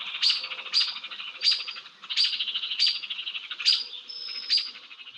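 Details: Alarm calls of small songbirds mobbing an Eastern screech-owl, played as an example from Vermont: sharp high notes each trailed by a harsh buzzy rattle, repeated about every three-quarters of a second.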